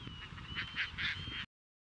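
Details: Courting Caspian terns at Montrose Beach in Chicago, 22 April 2024, catching fish to offer to potential mates. Loud, raspy screeching notes pulse in quick succession over a thin steady tone and low wind.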